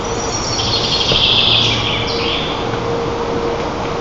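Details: White-tailed eagle nest camera in Tatarstan's Lower Kama National Park, 25 June 2024, adults bringing breakfast to eaglets; one bright high chattering burst then a falling note, set against a constant low rumble and hiss.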